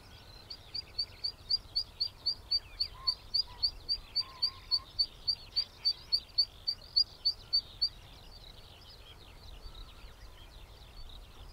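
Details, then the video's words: Zitting cisticola song captured on a Sony A7R4A with a 200-600mm lens: a long, steady series of piercing, high 'zit' notes, roughly three or four each second, running for about seven seconds, then quiet ambient noise. "개개비사촌 소리 - Cisticola juncidis song"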